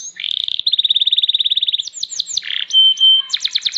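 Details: Champion canary singing a fast varied song: rapid trilled runs of buzzy notes, swooping whistles and a clear steady piping tone, phrases changing every second or so.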